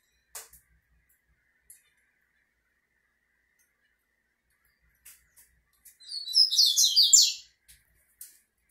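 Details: Double-collared seedeater facing a female sings one brisk, high trilled phrase of crowded sliding notes near the end, after several scattered light clicks in an otherwise quiet room.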